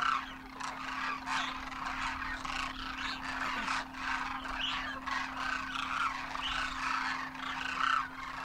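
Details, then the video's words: Demoiselle cranes in huge wild winter flocks in Rajasthan, India, juveniles on their first winter alongside adults, calling in flight; many rolling, trumpeting voices overlap without pause, rising and falling in waves above a constant background hum. "Demoiselle Cranes darken the sky, trumpeting in flight"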